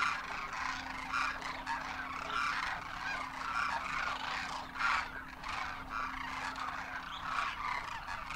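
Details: Winter flock of wild Demoiselle Cranes in Rajasthan, India, adults and first-year young, trumpeting in flight: a steady wall of overlapping croaking, bugling calls with occasional louder surges and a low background hum.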